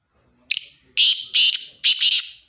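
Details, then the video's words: Black francolin recorded in Khushab giving its loud call: a brief piercing opening note followed by three rough, scratchy bursts, each under half a second, then quiet. "kala teeter ki awaz"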